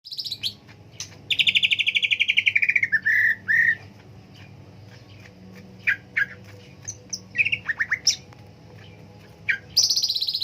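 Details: Green leafbird (cucak ijo) singing: a loud descending buzzy trill of rapid repeated notes, short whistled slurs, scattered sharp chips, then another fast high trill at the end; low hum in the background.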